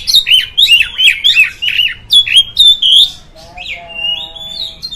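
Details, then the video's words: Oriental magpie-robin singing to provoke other magpie-robins: a quick run of bright, dipping whistled notes for about three seconds, followed by a softer drawn-out rising whistle and a few low, flat tones. "Suara Burung Kacer, Buat Memancing Burung Kacer Anda Emosi."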